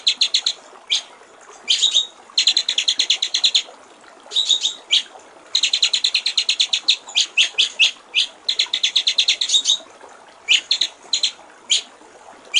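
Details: White-rumped shama giving a clear 'gericik air' style song for training other songbirds: long runs of fast, evenly repeated high notes like trickling water, broken by brief gaps, with soft hiss behind.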